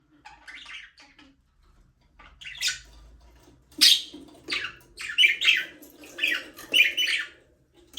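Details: Budgerigars (Australian parrots) playing and flying free in a small aviary: bursts of scratchy, warbling chirps that grow busier and louder midway, with several birds overlapping in quick chattering phrases.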